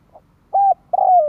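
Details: Spotted dove lure call, used to provoke wild doves: two mellow mid-pitched coos, the first short and level, the second longer and sliding gently downward, in a quiet setting.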